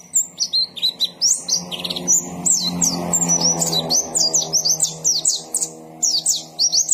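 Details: White-eye singing energetically: rapid, twittering high-pitched song of sharp down-slurred and up-slurred notes in quick bursts, with a steady low droning hum underneath for most of the recording.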